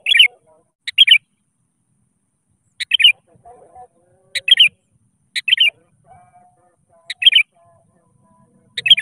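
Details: Sooty-headed bulbul singing to call rivals, used as a lure to prompt reluctant bulbuls to sing: short bright warbled phrases repeated every one to two seconds, with sharp clicks before them and faint low chatter between.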